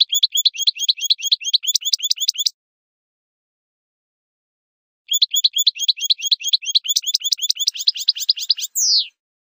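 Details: Goldfinch song played to teach young goldfinches: two rapid, evenly paced trills of repeated sharp high notes, separated by a silent pause, the second closing with a falling buzzy slur.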